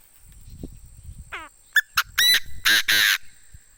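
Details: Crowing decoy Chinese francolin. After low background murmur comes a wavering descending note, then two sharp short notes building into loud harsh rasps and two long strident blasts.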